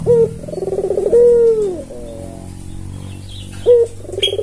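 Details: Red-eyed albino Barbary dove, tame and calling steadily, used to coax other doves into calling. Rolling, throbbing coos alternate with smooth, drawn-out level notes, repeated twice, over a low hum; a brief high chirp near the end.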